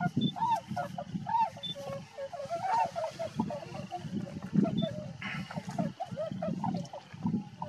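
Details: Tundra swans near Rosedale and Munson, Drumheller, Alberta, Canada, honking in an overlapping chorus of short nasal calls above a heavy low rumble of wind or engine noise.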